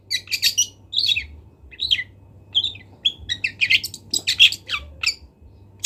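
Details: Long-tailed shrike from Kendal, recorded as training material for other birds: a jumble of short scratchy chirps and squeaky notes in quick clusters, with a low constant hum beneath.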